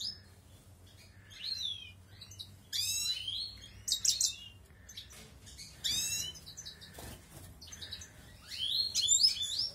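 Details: Balkan European goldfinch bred in an outdoor aviary as the 2020 breeding season begins: bursts of bright, tinkling twitters and buzzy chirps every second or two, over a low steady hum.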